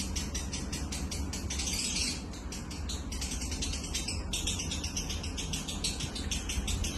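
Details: Lovebird singing in the style called konslet: a fast, unbroken stream of high, scratchy, buzzy chirps that runs through the whole clip, with a short dip near two seconds and a steady low hum underneath.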